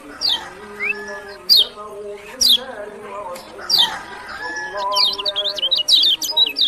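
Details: Kecial kuning, the lemon-bellied white-eye of Lombok, gives clear high descending whistles roughly once a second, then breaks into a quick series of high zigzag chirps; steady low background tones throughout.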